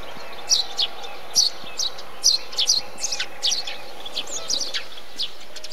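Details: Eurasian tree sparrow calling busily in a bee-eater colony, a rapid irregular run of sharp chirps, often doubled, fading to softer notes near the end.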